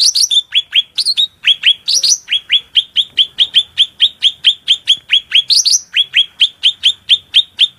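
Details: Energetic, shrill cucak rante tutor song: a long, steady series of short downward-slurred whistles repeated at a brisk, even pace, broken by a few higher twisting squeaks early on and near the end.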